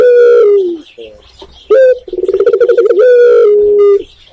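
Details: Tekukur, the spotted dove of Indonesia, singing one full phrase: a steady falling coo, quiet low notes, a sudden loud coo, a fast throbbing roll of about a dozen pulses, then a long even coo.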